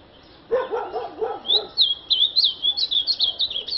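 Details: Over a low voice at the start, a male-sounding azulão launches into a fast, high, twisting warble of bright slurred notes, repeated rapidly for about two seconds.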